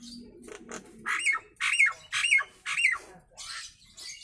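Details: Nias hill myna, original voice used as a tutor recording for other mynas: a soft low chatter, then four loud harsh squawks with a short bright whistle inside each, spaced about half a second apart, in a small room.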